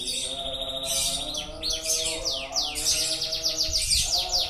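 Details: Canary in long, continuous song: shifting high phrases of buzzy notes, then a run of rapidly repeated descending whistled sweeps and quick trills, with a steady low tonal hum underneath throughout.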